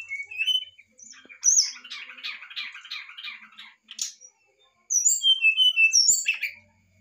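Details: An excited brown-chested jungle flycatcher sings to provoke a reply, giving a rapid run of buzzy rattling notes, then sweet high whistles dropping in pitch and a final harsh burst.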